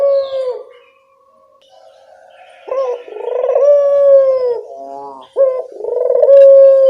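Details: Barbary dove, local bird, calling as a lure so other doves answer: a fading coo, a quiet pause, then two low phrases of a rising note, a rolling purr and a sustained steady hoot.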